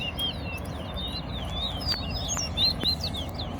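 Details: Chestnut-bellied seed finch (towa-towa) in an in-house singing competition round: quick high chirps and short whistled upslurs and downslurs, irregular, over a steady low rumble of background noise.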